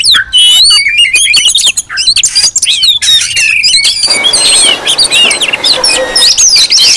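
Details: A lively group of Oriental magpie-robins, used to lure and provoke wild birds. Quick sharp whistles and scratchy notes stream out, then merge into a denser wash of overlapping calls and hiss.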